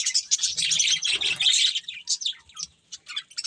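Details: Colourful budgies chirping while they eat. Dense high warbling chatter, then scattered separate chirps, with faint low rustling.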